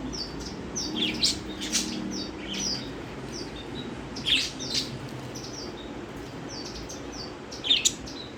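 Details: Pet budgerigars in Sitapur, India, give short, high chirps and warbles in scattered bursts while playing, with a few soft flutters and a low background hum.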